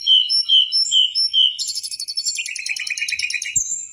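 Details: Mangrove whistler singing in a tutor recording for cage birds: four clear whistled notes give way to a fast, dense rattling trill with a lower chattering run beneath, ending in a high thin whistle.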